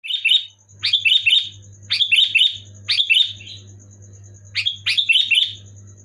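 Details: Sooty-headed bulbul singing loudly and clearly, played to get silent pet bulbuls singing: bubbly, fluty phrases of three or four quick notes, repeated about once a second, over a steady thin high whine and a low electrical hum.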